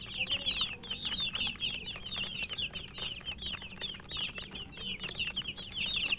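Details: Chicken chicks chirping loudly as they eat. Clustered, piercing peeps pour out in a thick chorus, with scattered clicks from pecking.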